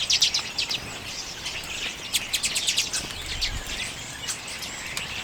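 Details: Common redpolls at sunflower seeds, late January 2022, Canon EOS M50 recording. Bright, rattling chatter comes in clustered bursts of rapid clicks, loudest at the start, then looser trills continue over soft background noise.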